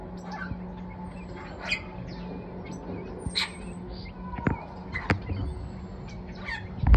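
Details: Young superb starling hatched in 2022, helping its parents feed the new brood: scattered short high chirps, thin whistles and sharp clicks at irregular intervals over a steady low rumble of background noise.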